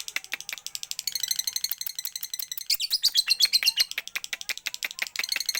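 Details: Caged lovebird performing a strong, persistent 'siren' style song, from Pekalongan: rapid high buzzy chattering notes, about four per second, with a brief thin whistled trill in the middle.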